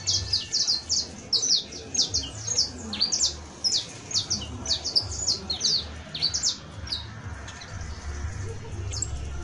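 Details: Saffron finch (Sicalis flaveola), a creole canary, sings a professional-style song: a rapid run of sharp, high chirps in uneven bursts, several notes each second, over a low background rumble.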